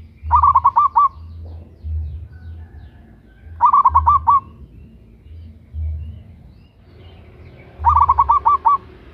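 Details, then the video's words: Female local zebra dove calling to a male, used as a lure: three bursts of rapid, rolling coos, each about six notes, coming roughly every four seconds, with low humming thumps in the background between phrases. "Perkutut Lokal GACOR Suara BESAR - Pancingan bunyi"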